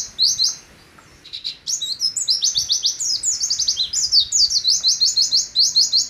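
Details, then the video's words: Pleci, the Oriental white-eye, in nembak song: after a brief pause, quick high whistled notes tumble in varied slurred phrases, then settle into fast repeated bursts. "Pleci Nembak Sejalur "LANGSAM""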